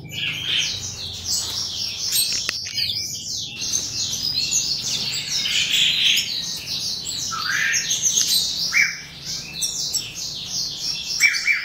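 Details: Black-throated canary (Crithagra atrogularis somereni) chicks give a dense, overlapping stream of thin, high chirps and squeaks, several per second, almost without pause.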